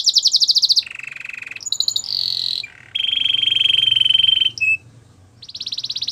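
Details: Belgian canary in warm-up song for females, delivering fast buzzy trills alternating with sustained level whistled rolls at different pitches, with a low hum in the background.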